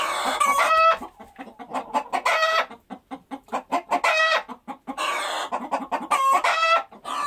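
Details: A group of chickens cackling: bursts of loud ringing squawks roughly every two seconds over a steady run of soft, rapid clucks between them.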